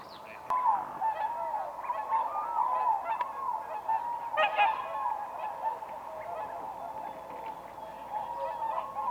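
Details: Spring lake with whooper swans dancing on ice, a continuous flock chorus of bugling honks, rising and falling, many voices overlapping, with a sharp click near the start.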